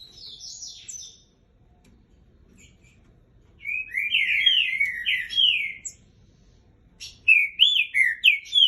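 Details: Green-winged saltator aged 3 years 9 months sings strongly: brief high twittering, then a pause, then loud slurred whistled phrases of quick repeated notes, pausing again before another run of emphatic whistles.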